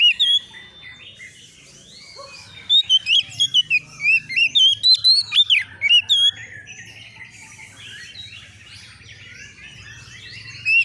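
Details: White-rumped shama, a young bird seeking a rival, gives a burst of fast varied whistles and sharp sweeping notes mid-clip, then falls mostly quiet with faint background hiss.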